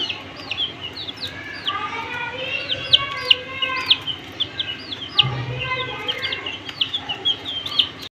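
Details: Coloured baby chickens of the desi type chirping together: shrill, arched peeps rising then dropping, some longer and wavering, from several chicks at once, with a brief low thump partway through.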